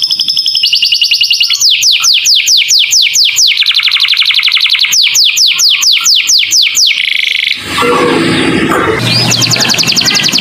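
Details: Canary master song with lovebird-style fill for training young birds: short high trills, a long run of rhythmic steep downslurred whistles, then rough noisy chattering and twitters.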